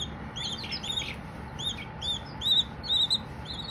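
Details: Baby Silkie chickens chirping: high, arched peeps repeated in a quick, uneven series, several overlapping, with a steady low hum underneath.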